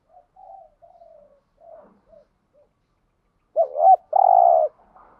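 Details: Spotted dove call meant to excite other doves: quiet scattered soft coos at first, then a loud phrase of two quick hooked notes followed by a long steady coo.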